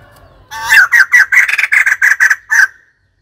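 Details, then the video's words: White-crested laughingthrush delivering a loud, raucous series of roughly nine harsh cackling notes over two seconds, rising abruptly from near silence and ending cleanly. "White crested laughingthrush call"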